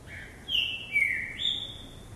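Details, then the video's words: Green-winged saltator in a jumping cage, showing vigor while hopping: a loud, clear whistled phrase of two sliding notes, one falling and then one stepping higher, over faint background noise. "Trinca ferro Vigor no pulador"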